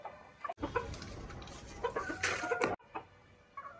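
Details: Hen-style clucking in a short burst of rapid, uneven, gravelly clucks, several per second, framed by abrupt quiet gaps at the start and end.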